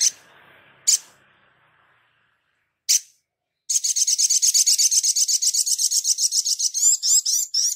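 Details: Crimson Sunbird singing actively, recorded to tutor other birds: three separate high chips, then a long rapid high trill of around thirty notes ending in several twisting, warbled notes.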